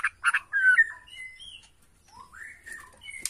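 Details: Agitated Bornean white-rumped shama singing as a lure to provoke other shamas: short loud burst of rough notes, then a sweeping whistle, a pause, and quieter rising and falling whistles ending in a sharp click.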